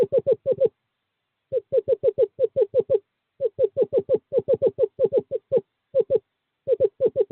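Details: During courting season, 2/11/2023, a male screech owl calls his mate to nest box 5: clusters of rapid, soft, slightly down-slurred notes in groups of three to seven, separated by short silences.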